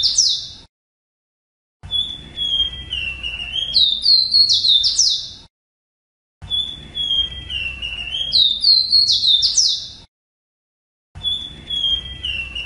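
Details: Ruddy-breasted seedeater, locally called rosita, singing a tutor song used to teach captive birds: high whistled phrases that slide downward, then quick rising and falling sweeps, repeated three times with silent breaks between.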